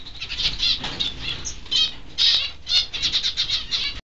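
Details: Peaceful Doves, two birds kept in an aviary with finches and other doves, flapping restlessly; rapid fluttering wingbeat bursts follow one another for about four seconds, with a brief chirp partway through.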